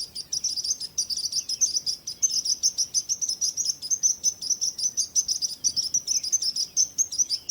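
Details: Bird chorus: continuous high, rapid chirps overlapping at a steady pitch over a light background hiss.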